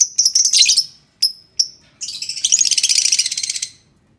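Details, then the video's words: Lovebird song for stirring quiet lovebirds: twittering high chirps and two short isolated notes, then a long, rapid pulsing chatter lasting nearly two seconds. "pancing suara lovebird yang diam Malas bunyi"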